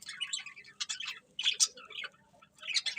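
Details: Budgerigars chirping happily as they eat: scattered short squeaky chirps and warbled notes in bursts, with a faint steady low hum beneath and quiet gaps between phrases.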